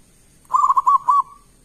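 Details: Zebra dove, a local bird with a loud, big voice, used to draw answers from other doves: a quick run of about six soft, bubbling coos on one even pitch, ending in a drawn-out trailing note.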